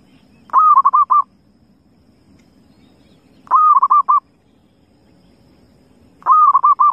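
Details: Wild zebra dove repeating its soft rolling coo roughly every three seconds, each phrase a rising first note followed by a rapid string of clipped, even notes, with faint low rumble behind.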